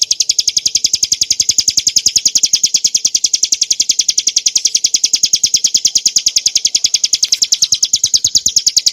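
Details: Bar-winged prinia in a clear, sustained 'ngebren' song for training cage birds: a dense, unbroken trill-like series of piercing chips, very fast and regular, holding steady for the whole stretch.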